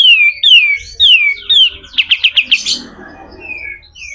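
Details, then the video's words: Pied triller in harsh 'besetan kasar' song, recorded for training other birds: four or five drawn-out descending whistles, then a quick burst of clipped notes ending in a raspy flourish. "SUARA KASAR‼️katem gacor dor, masteran burung"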